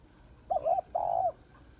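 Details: Female spotted dove giving her call to rouse males, a clear paired coo: a brief wavering note followed by a longer, steady, slightly broken hoot, with quiet surroundings.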